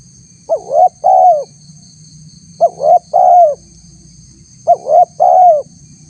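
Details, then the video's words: Spotted dove lure call meant to draw a response from wild doves, tagged as a female calling a male: three phrases of a short coo, a rising coo and a long falling coo, about two seconds apart, over a steady high whine and low hum. "suara tekukur PALING DI CARI untuk memancing respon tekukur liar"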